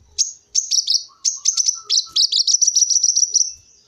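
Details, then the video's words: A Brown-throated Sunbird, recorded as a lure call for sunbirds, gives a rapid, very high twittering song of sharp chips and short trills, about fifteen notes in under four seconds. "Suara burung kolibri wulung"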